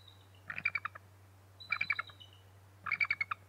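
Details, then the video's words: Bald eagles calling at the Decorah North nest around 6 am CST on 6 March 2018, during a shift change as the male flies toward the nest and the female moves to a lower branch; three short bursts of high, rapid chittering notes, with a steady low hum. "Shift change and eagle calls"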